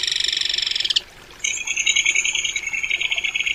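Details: Crested kingfisher calling with two bursts of harsh, grating, fast-pulsed rattling separated by a brief silence, the second burst longer and slightly uneven in rhythm.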